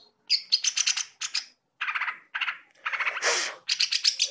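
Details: Greater green leafbird in full song, offered as a reference for training other birds: dense bursts of harsh, buzzy chattering phrases at high pitch, repeated with short pauses, one burst ending in a noisy rasp.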